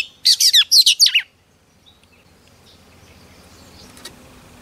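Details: Female Oriental magpie-robin singing to excite males: about a second of rapid, harsh, buzzy notes given in quick succession, then faint background rumble.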